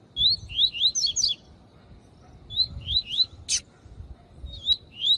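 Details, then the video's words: Double-collared seedeater song of the tui tui style, played with a female calling to warm up other males, with quick twittering upslurred notes in short bursts, a sharp click and low background hum. "CANTORIA DE COLEIRO TUI TUI PROFESSOR COM FÊMEA CHAMANDO PARA ESQUENTAR COLEIRO"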